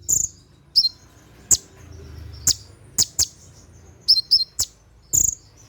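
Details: Konin (Brown-throated sunbird) giving its 'tembakan' shooting song at night for caged-bird training: about ten widely spaced, piercing high clicks and whistles, with a brief low rumble in between.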